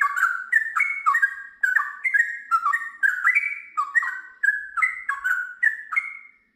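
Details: Sooty-headed bulbul delivering a ropel panjang after ngiwir notes: lively, bouncing whistled phrases in short rolling bursts separated by brief gaps, ending abruptly.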